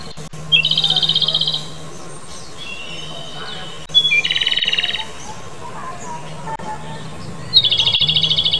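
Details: Japanese robin singing three phrases spaced about three seconds apart, each a high note leading into a fast rattling trill, with faint thin whistles between them and a low steady hum beneath.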